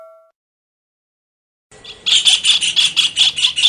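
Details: Kingfisher, used as a tutor recording for songbirds: after nearly two seconds of near silence, a rapid run of harsh, high, evenly pulsed notes starts and repeats steadily to the end.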